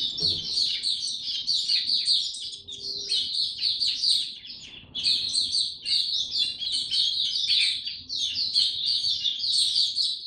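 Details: Caged white-eye, locally called mata puteh, in full song with no health supplements given: a long, rapid run of high, thin chirping and twittering notes with brief pauses near the middle, the bird singing almost without break.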